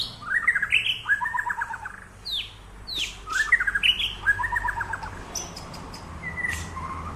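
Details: Training song of a white-rumped shama: a rising whistled phrase followed by a fast stuttering trill, repeated twice, with sharp downslurred notes and higher chips between, over a faint low hum.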